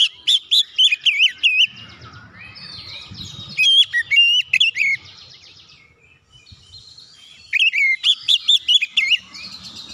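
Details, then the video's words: Oriental magpie-robin song intended to provoke other birds: three loud bursts of quick, swooping whistles, with soft warbling and a low rumble between them. "KICAUAN KACER PEMICU EMOSI"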